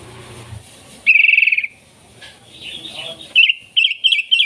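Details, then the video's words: Lively sooty-headed bulbul, used to attract wild birds, gives a quick buzzy rattle, a softer warbled phrase, then several short sharp chirps in a row. "Suara Burung KUTILANG GACOR Ampuh Untuk Panggilan Kutilang Liar"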